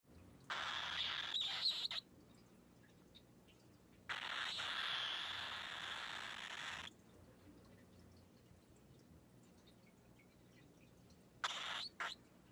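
A young cockatiel gives harsh, raspy squawks in long, drawn-out bursts separated by quiet pauses.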